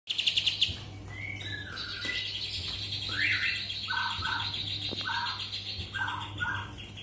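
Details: Cotton-ear bird (kapas tembak) singing a varied phrase: buzzy high notes around a sustained upper band, short descending slurs and paired mid-pitched chirps, with a steady low electrical hum underneath.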